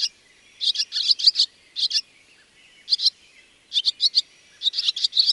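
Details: Barn swallow giving bursts of sharp, high chirps in tight clusters of two to four notes, separated by short pauses, over a faint steady high hum.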